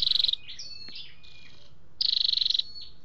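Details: Flowerpecker male and female calls, used as a lure or to excite a kept bird: two high trills of rapid even pulses, separated by twittering and sliding whistled notes.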